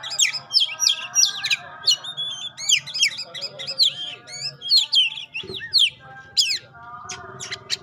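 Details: Oriental magpie-robin from Indonesia in fast, loud song: rapid sequences of bright whistled swoops and scratchy chirps in quick succession, a short low thump midway, then fewer, spaced high notes.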